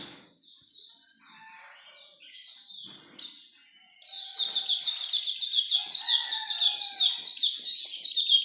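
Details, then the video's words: Scattered high, sliding notes from a Hume's white-eye build into its vigorous ngalas longgun song, a long, steady, rapid series of shrill downslurred chirps, with a lower warbling thread beneath. "Pleci Auriventer gacor ngalas longgun"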